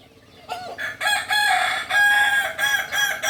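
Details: Kukuak Balenggek chicken, native to Solok, West Sumatra, crowing in a chain of loud segments. A short rising opening note is followed by several sustained, ringing parts separated by short gaps.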